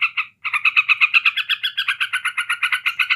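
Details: Ngebren ngekek song of a yellow-vented bulbul, used to provoke other bulbuls: two opening notes, a short pause, then an even, rhythmic stream of rapid harsh notes, almost three per second.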